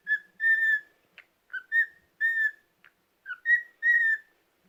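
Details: Pet cockatiel on a rest day whistling a halting tune of clear, harmonic-rich notes, some held and some dipping, broken by short clicks and gaps, then a person speaking in German.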